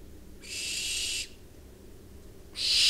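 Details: Barn owls, two birds recorded in September, giving harsh, breathy hissing calls: one long rasping burst of nearly a second, a pause, then another loud burst starting at the end, all high-pitched noisy sound with a quiet background.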